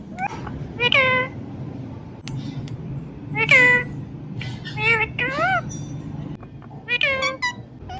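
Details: Pet rose-ringed (ringneck) parakeet making natural sounds: four bursts of nasal, harmonic, rising-and-falling squawks, some almost meow-like, a second or two apart over a low hum.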